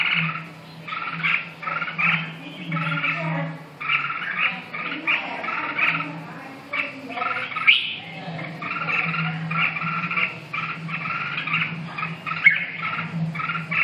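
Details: Red-whiskered bulbul delivering a long run of quick, clustered chirps in rapid succession, one after another, backed by a continuous low droning hum.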